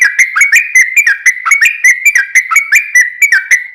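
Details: Long, continuous sooty-headed bulbul song used as a lure to make other bulbuls sing, with lively whistled notes that dip and rise, tumbling quickly without a break.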